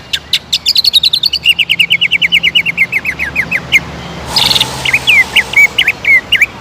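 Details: Song of a greater green leafbird used as a provoking lure. A fast, rattling series of short notes running downward, a brief noisy burst, then clear repeated slurred whistles.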